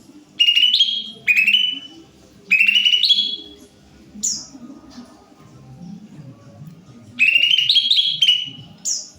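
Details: Greater green leafbird singing: loud bright phrases of rising then level whistled notes with buzzy overtones, repeated in bursts about a second long with short gaps, over a low background murmur.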